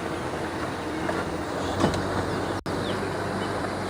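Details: Loud engine rumble of a vehicle with broadband noise and a brief dropout, no animal calls heard.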